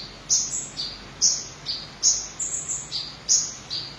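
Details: Red-breasted ninja sunbird, Van Hasselt's sunbird, giving sharp high-pitched notes that alternate between higher and lower pitches, repeated irregularly over a hissing background.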